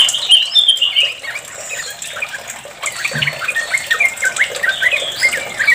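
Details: Sooty-headed bulbul in long 'ropel' rapid-fire singing, played to lure other bulbuls into singing; short, bright chirping notes tumble quickly, some rising or falling, over a steady hiss like running water.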